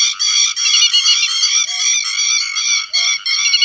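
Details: Grey-headed lapwing calling the flock: rapid, harsh, ringing notes repeated in quick bursts with brief gaps. A faint short beep recurs about every second and a quarter underneath.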